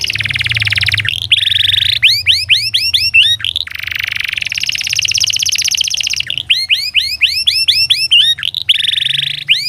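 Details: Canary song for training canaries to sing: alternating dense buzzy rolls and bursts of quick rising whistled sweeps, continuous and loud over a faint low hum.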